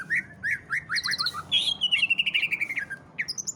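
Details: Greater green leafbird in ngentrok style, a song meant to stimulate other leafbirds to sing. Quick upslurred chirps give way to a bright whistled note and then a fast descending rattle of clipped notes, ending in short high squeaks.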